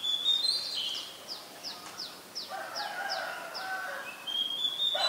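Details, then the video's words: Female Asian koel giving a quick series of about eight sharp, shrill, downward-slurred notes, evenly spaced, with other birds whistling and calling around it. "นกกาเหว่าตัวเมีย (Asian koel, Female)"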